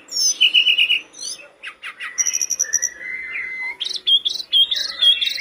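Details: Lure recording of a sooty-headed bulbul singing persistently: a fast rattled trill, then clicking notes, a long steady whistled tone, and a final run of bright, looping high whistles.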